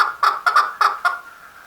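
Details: Male chukar calling: four loud, harsh clucking notes centred low-mid, spaced about a quarter-second apart, then fading away.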